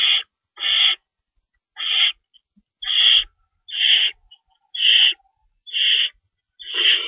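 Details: Feeding time at an owl nest in the night of March 25, 2012, two rabbits stored. Rasping, hissy screeches repeat about once a second, eight in all, with a longer pause early on and a few soft ticks.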